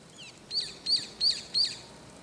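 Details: Brown-eared bulbul calling early in the morning, around 6 a.m., from atop an antenna: four sharp, high, squeaky notes about every third of a second, each with a quick upward flick, over faint background hiss.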